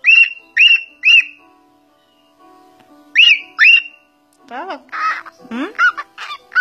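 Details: Cockatiel at home, giving three and then two sharp upslurred whistles with pauses between, followed by a burst of harsher, squawky chattering notes of mixed pitch, like imitated talk.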